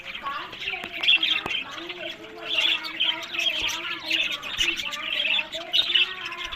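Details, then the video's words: Breeding budgerigars held in cages in Larkana, Sindh: bursts of bright chirps and scratchy warbles roughly every second, over a background of softer twittering from many birds, plus a few sharp clicks. "Buddies Parrot Voice"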